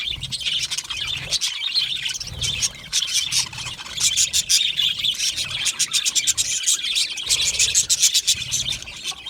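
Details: In a colony setting, happy Australian budgies twitter continuously, rapid high clicks and tweets forming a rhythmic, busy chorus with occasional short lulls and low background rumble.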